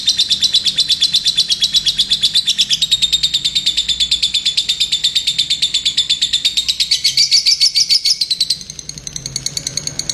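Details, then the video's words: Lovebird delivering a long rapid chattering trill of high repeated notes, steady for most of the stretch, rising briefly and then softening at the end. "Love Bird gacor"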